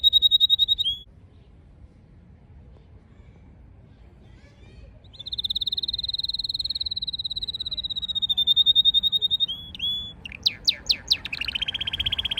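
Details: Canary singing under wisteria trellis in Nara Park, Japan: long sustained high trilled rolls, a pause, then another extended rapid trill, ending in fast clicking notes and chattering phrases; low background rumble throughout.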